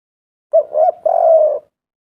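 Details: Spotted dove giving one lure phrase to prompt doves to call: a sharp opening note, a rising middle coo and a long steady drawn-out coo, loud and close in silence.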